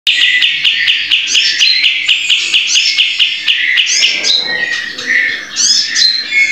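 A bulbul sings a fast, busy stream of high chirps and bright rising whistles, with rapid ticking clicks throughout and no pause.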